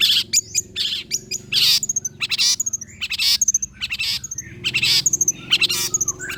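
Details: Long-tailed shrike singing, played to provoke other shrikes into answering: loud harsh scratchy phrases broken by brief whistled and chattering notes, densely delivered, over a constant low hum.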